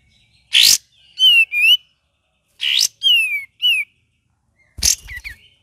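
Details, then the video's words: Gacor ngeriwik song of a Cream-vented bulbul. Harsh scratchy bursts are each followed by clear, quick, slurred whistles in two- and three-note groups, with quiet pauses between phrases. "KAPAS TEMBAK VARIASI GACOR DAN NGERIWIK"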